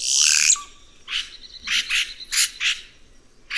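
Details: Red-rumped cacique, or guaxe, opens with a loud noisy rasp and rising sweep ending in a flat whistle, then quick harsh chattering notes in pairs.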